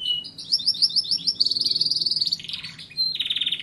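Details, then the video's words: A canary sings a fast, high tumbling phrase of rapid repeated chirps, then a quick buzzy trill and a sustained high rolling note, over a low background hum. "canary singing = canario cantando"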